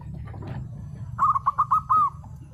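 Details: Singing local zebra dove that answers others: after faint rustles, a short phrase of about six quick hollow coos, the last one drawn out slightly.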